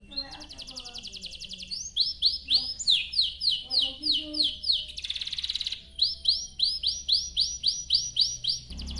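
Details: A canary sings a long, high, rapid run of bright chirping phrases, used as a lure song to prompt other canaries, with a buzzy trilled burst in the middle and soft background voices underneath.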